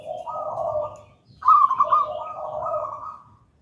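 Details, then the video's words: Local gedang rojo zebra dove kept as a lure and master singer: overlapping low cooing with a sharper trilled phrase cutting in after a short break, seemingly two voices together. "Perkutut lokal gedang rojo gacor merdu"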